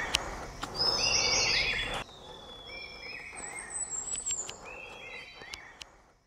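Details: Large niltava (Niltava grandis) near Pelling, Sikkim, in May 2022, giving short, clear whistled notes in loose runs with a thin, very high drawn-out whistle between them; a rustling hiss covers the first two seconds.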